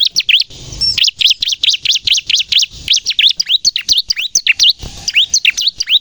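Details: Bar-winged prinia (ciblek) song for luring wild birds and prompting captive birds to sing: a dense, rapid series of sharp, high chirps, steady and loud after a short opening gap.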